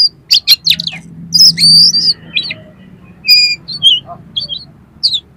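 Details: Oriental magpie-robin singing harsh imitative phrases to raise another magpie-robin's aggression: a rapid cluster of sharp notes, a buzzy whistle, then sparse high chips and short whistles with pauses.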